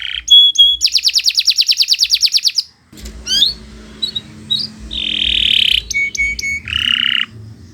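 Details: Canary of the Kenari Nusantara type singing for a master recording: a fast, even high trill lasting about two seconds, then a pause, scattered chirps, a short buzzy note and quick clipped phrases.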